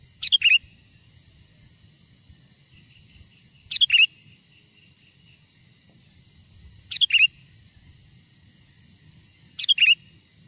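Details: Wild sooty-headed bulbul song used for luring wild birds: four short, cheerful phrases repeated roughly every three seconds, each a quick high note falling into a rolling liquid whistle, over steady faint low noise.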